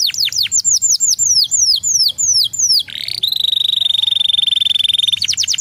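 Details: Canary singing to stimulate other canaries: a run of loud, clear downslurred whistles repeated several times a second, then a long steady high rolling trill held for about two seconds, ending with fresh quick downslurs.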